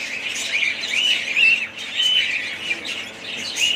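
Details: Budgerigars give looping, warbled chirps and clear whistled notes over a constant background of soft chatter, the sound swelling and easing every second or so.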